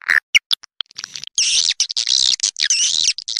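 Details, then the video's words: Swiftlet sounds opening with a few isolated short chirps, then running into long, buzzy, wavering twitters at high pitch. "Suara walet terbaik 2020"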